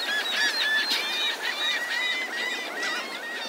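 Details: Morning crowd of seagulls at Delnor-Wiggins Pass State Park beach, Naples, Florida: loud, quick sequence of short arched squawks and drawn-out nasal notes from several birds at once, backed by low surf.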